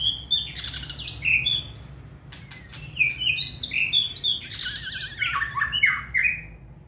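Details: Contest-singing white-rumped shama, hand-tamed, pours out a fast, high, scratchy-bright medley of short whistled notes and trills, pausing briefly with a few clicks before another busy burst of varied phrases.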